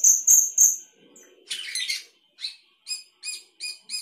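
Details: Sooty-headed bulbul, gacor song with isian: three piercing high whistles, a harsh buzzy rattle, then evenly spaced bright chirps with an echoing ring, repeated roughly every half second.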